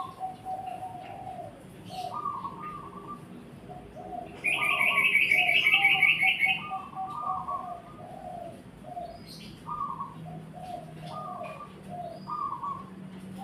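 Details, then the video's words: Zebra dove song of short, clipped cooing phrases repeated steadily throughout, briefly overlaid midway by a louder, higher, rapid chirping burst from another bird, over a low hum. "Burung Perkutut"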